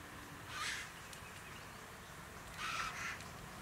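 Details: White-winged choughs in a family clan, Capertee Valley, New South Wales, October 2018, among open forest, woodland and tree-dotted farmland; two harsh, hoarse rasping calls about two seconds apart over steady background noise.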